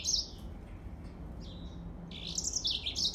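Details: Yellow-fronted canary: a short high chirp, a quieter thin note, then a rich, warbling sequence of rising and falling high notes toward the end, over a faint low hum.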